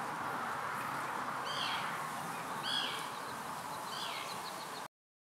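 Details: A Common redshank in partial summer plumage, presumably male, calls and feeds at Marshside RSPB Reserve, Southport, Lancashire, on 24 June 2021: three clear, ringing downslurred whistles about a second apart over a steady wash of background noise.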